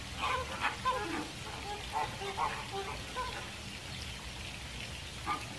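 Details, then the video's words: American flamingo with scattered short honking and grunting notes, several in the first three seconds, then fewer and fainter. A soft, noisy background runs throughout. "Flamingo bird sound / call / noise | American"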